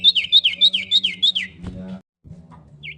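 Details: Female common iora calling to a male, giving six bright whistled notes that each slide downward, about three and a half per second, then a click and a brief pause, with a steady low hum behind.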